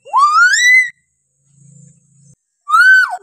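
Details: Hill myna voice used to train other mynas: one loud whistle sweeps upward and levels off, a soft low hum follows, then a second whistle falls away at the end.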